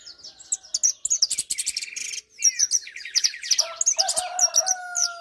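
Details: Song of an Argentine jilguero, or hooded siskin: a dense stream of fast chips, rattles and buzzy trills with mixed pitches, ending in long, clear, slightly falling whistled notes layered with twitters.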